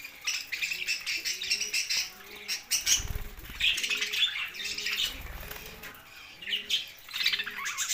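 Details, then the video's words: Pet budgerigars keep up a high, scratchy twittering chatter. A dove's deep, repeated coos run underneath, and there are a couple of loud flapping or bumping thuds near the middle. "Bird Chirping sounds parakeets Team Friends Budgies"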